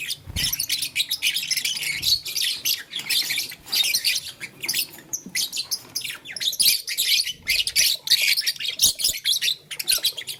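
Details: Pet lovebirds, blue, lutino and green, playing with a flower in the morning; a continuous stream of squeaky, harsh chirps and twitters with scattered clicks throughout.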